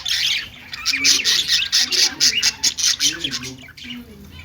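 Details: Budgerigar singing and dancing: rapid bursts of sharp, high chirps and rasping squawks, roughly two per second, in an uneven chattering rhythm.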